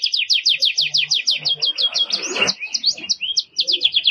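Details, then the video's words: A Belgian canary sings a vigorous song used for tutoring: a fast, bright trill of about a dozen sweeping high notes, then varied chirps and rolled phrases, all high-pitched and energetic. "Canario belga com muita fibra pra encarte."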